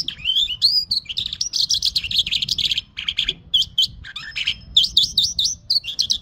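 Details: Mashadi jal song of a lark, continuous and varied, with rising whistled slurs, rattling trills and rapid chirped figures that flow into one another without pause.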